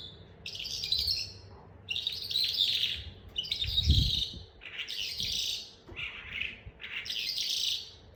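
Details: A kept Calandra Lark learning to "roll" sings dense, scratchy, high bursts roughly every second, each a rapid jumble of buzzy notes, with a low indoor hum and a few soft knocks underneath.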